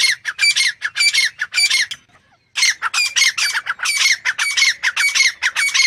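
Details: A grey francolin gives loud, harsh, squawking notes in rapid runs of several a second, with a brief pause midway before the raucous series resumes.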